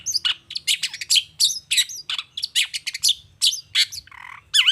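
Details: Long-tailed shrike song used as a lure to provoke other shrikes into answering: a dense, varied stream of harsh chirps, sharp whistled notes and rising slurs, with short gaps between phrases and a closing buzzy note.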